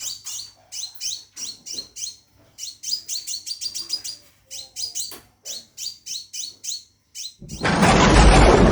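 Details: A caged Scarlet minivet calls to attract a female, pouring out quick high chirps that fall in pitch, grouped in rapid clusters, before a loud rushing noise drowns the end.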